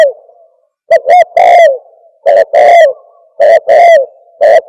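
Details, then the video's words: Very fast, loud cooing by a spotted dove in the thổ còi style, repeated triplets of short notes and a falling coo, each phrase roughly a second apart, near-continuous and close. "Tiếng chim cu gáy thổ còi tốc độ gáy cực nhanh cực chất"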